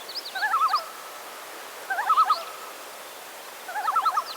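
A Common Loon gives three quavering, laughing tremolo bursts about every two seconds, each a fast wavering run of notes, over a quiet hiss.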